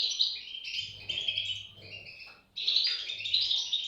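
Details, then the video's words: European goldfinch nestlings giving shrill overlapping squeaks that stop briefly midway, then resume loudly in a fresh burst of high chirping. "صوت فراخ طائر الحسون"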